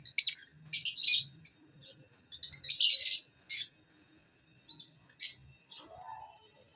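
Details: Lovebirds chirping and singing: bursts of harsh, scratchy, high-pitched chirps in quick clusters separated by brief pauses, with soft low rumbling noises in the background.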